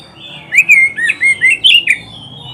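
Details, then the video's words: Oriental magpie-robin song for training pet kacer birds: a lively run of about seven loud whistled notes, smooth slides mixed with sharper, higher accents, with a soft thin whistle lingering afterward. "SUARA KICAUAN BURUNG KACER TERBAIK"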